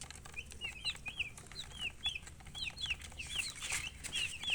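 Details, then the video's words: Baby chicks chirping: many shrill, high peeps that sweep downward, repeated rapidly and overlapping in a busy chorus over faint background noise. "Baby "Chicks Chirping""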